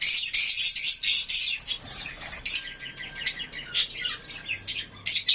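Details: Lovebirds squawking: a series of loud, harsh, evenly spaced shrieks, followed by quieter scattered high chirps and trills from other birds.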